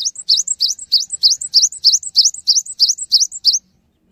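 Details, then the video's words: A cinereous tit sings to get other tits singing: an unbroken series of about twelve identical sharp, upslurred high notes, evenly spaced roughly three per second, ending abruptly. "GELATIK BATU GACOR | Bikin Gelatik Lain Cepat Terangsang Untuk Ikutan Bunyi"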